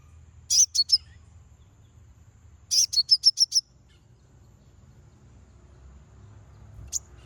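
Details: Konin song used as a lure to provoke rival birds: two bursts of very high, sharp notes, the second a quick series of about six clipped chirps, then one lone note near the end over a quiet low hum.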